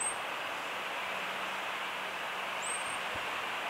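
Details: Blackbird giving its warning call: two faint, thin, high whistles, rising then flattening, spaced about 2.7 seconds apart, under a continuous hiss of ambient noise.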